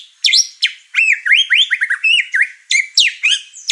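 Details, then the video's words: Over-excited white-rumped shama in a house full of caged birds, singing in a way that stirs them up; loud, varied slurred whistles, swooping up and down, delivered in quick repeated phrases. "Murai Batu Over Emosi Bongkar materi Malah bikin ngamuk burung serumah"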